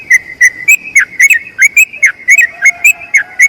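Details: Long-trilled song of a yellow-vented bulbul meant for training other birds. Bright whistled notes repeat in a flowing series, some rising slightly, others dropping sharply, with a faint low tone entering midway.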